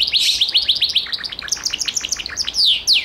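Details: A Gloster canary gives a quick series of bright, downward-slurred chirps that soften into a fast trill, ending with two loud sweeping descending whistles.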